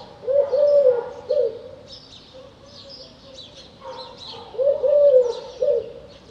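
A Eurasian collared dove gives two low, hollow coo phrases, each a drawn-out note followed by a shorter one, about four seconds apart. Faint twittering of small birds sounds behind.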